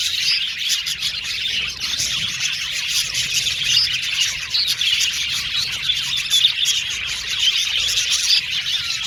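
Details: Many male blue and violet budgies in an aviary colony, chirping and warbling nonstop, the chatter dense and high with occasional louder sharp notes.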